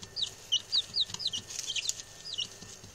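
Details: Newly arrived male chicks peep in a quick series of bright, falling notes, the six birds calling against faint background scratching.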